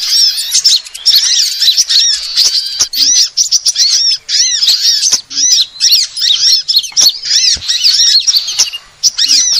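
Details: Sunbird lure call for attracting birds: rapid high chirps in bursts of a second or two, arched notes stacked together, short breaks between bursts.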